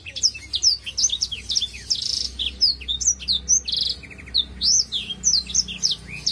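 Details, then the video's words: Actively singing Black-throated canary from Indonesia delivering Ngalun-style song, a continuous stream of high twittering whistles, down-slurred notes and brief buzzy rattles, lively and unbroken throughout. "BLACKTHROAT GACOR!!! Sing Song"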